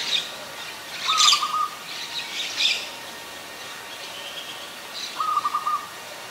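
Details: Zebra dove, an adult, in Ubon Ratchathani, Thailand, 24 February 2022: two brief rapid strings of soft staccato coos. Louder, higher chirps and calls from other birds are heard in between.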